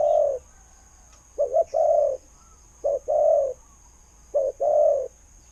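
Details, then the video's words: Spotted dove, a decoy prized for its good khu-ang voice that draws birds in. Soft low coos follow one another: each a short double pulse and then a longer held coo, about four within five seconds. "เสียงนกเขาใหญ่ เจ้า 800 คูอ่าง เสียงดี ต่อเข้าหมาน"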